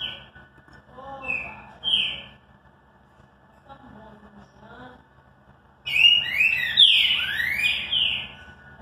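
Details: Classic song of a green-winged saltator. Two short whistled notes come first, with faint low sounds between them. Then a loud burst of overlapping, slurred whistles follows, with rising and falling sweeps. A steady low hum runs underneath.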